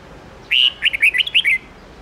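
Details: Red-whiskered bulbul giving its old wild-voice song of 10 to 13 notes for teaching young birds: one clear upslurred whistle, then a fast, lilting string of short bubbly notes ending in a falling slur.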